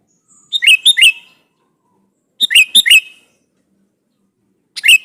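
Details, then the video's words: Two full phrases of rich, rolling notes from a sooty-headed bulbul calling a rival to provoke a response, then the start of a third, with quiet gaps of about a second and a half. "SUARA BURUNG KUTILANG GACOR MEMANGGIL LAWAN INI"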